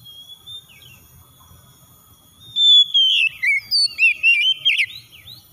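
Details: Lure recording of an oriental magpie-robin for provoking song: after a quiet start, a long falling whistle leads into a quick run of bright, looping whistled notes, with a faint low rumble and a steady high tone.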